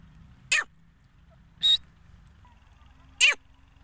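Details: Female grey francolin, or gora teeter, giving three short, sharp, harsh notes spaced more than a second apart, each an explosive burst ending in a quick downward slur, over a low background hum.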